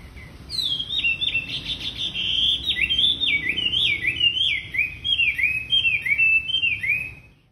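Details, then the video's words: Lure song of a wambi, meant to get other wambi birds singing, opening on a high falling note and then pouring out a rapid stream of looping, slurred whistles and chips that runs almost without a break to the end. "Burung Wambi Gacor Cocok Buat Pancingan Wambi Bahan"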